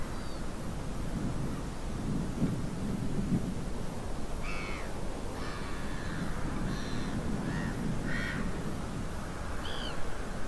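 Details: Little Egrets gathering in autumn on the south side of the Arzal dam, Brittany, 26 September 2024, give about six harsh, rasping croaks spaced irregularly through the second half, over a constant deep rumble of wind.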